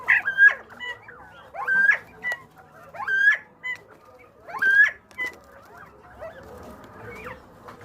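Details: Northern bobwhite (Colinus virginianus), song.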